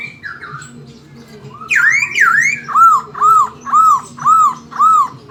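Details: Caged Chinese hwamei singing in a lively, fluent style mimicking an oriental magpie-robin: a few buzzy swooping notes, then a run of six clear arched whistles repeated about every half second, with faint music behind.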